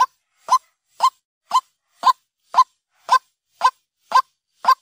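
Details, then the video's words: White-breasted waterhen call played by day as a lure: a steady series of about ten short, harsh, nasal notes, roughly two each second, each with a bright stressed centre, in otherwise silent surroundings. "Suara Ruak ruak pikat Siang hari | waterhen sound"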